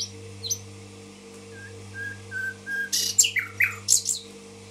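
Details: Common nightingale, Tashkent: a few soft low whistles in a row, then loud downward-sweeping calls and sharp high notes near the end, all over a continuous low hum.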